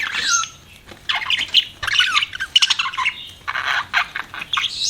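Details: Pet budgies chirping: rapid, buzzy warbling chatter mixed with squeaky chirps and brief clicks, broken by short pauses, loud and close.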